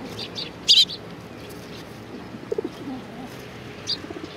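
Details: Sparrows arriving to be fed at a Tenmangu shrine, 25 April 2019: one loud, sharp double chirp stands out, followed by a few fainter high chirps, with low pigeon-like cooing in the background.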